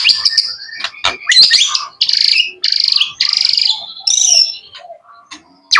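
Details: Young male white-rumped shama kept as a pet, singing loud, varied phrases: pulsing buzzy bursts, sharp clicks, and bright warbled notes in quick succession.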